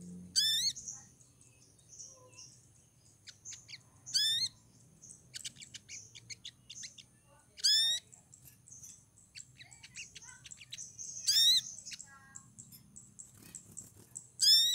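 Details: Female olive-backed sunbird in breeding condition calling to attract a male: loud, thin, high descending notes with harmonics every three to four seconds, between soft high twittering chirps and a faint low hum.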